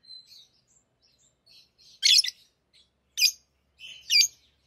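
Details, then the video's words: Soft thin twitters from tame lovebirds playing with rings build into three loud scratchy shrieks about a second apart. "Love birds Talking | Singing Sounds"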